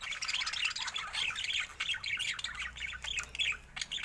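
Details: Continuous budgie warbling: dense, scratchy chirps and squeaks run without a break, with a few clearer whistled notes scattered through.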